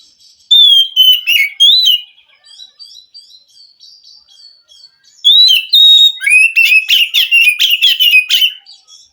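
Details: Forest-dwelling wild Oriental magpie-robin singing, meant to prompt a captive bird that has stopped singing. A loud whistled phrase and a few sharp notes give way to soft twittering, then a long lively burst of rapid chirps and whistles.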